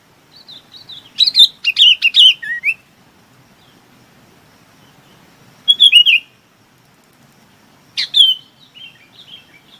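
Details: Chinese babax calling its flock with three bursts of loud, slurred, descending whistled notes, the first phrase longest, separated by pauses of a few seconds.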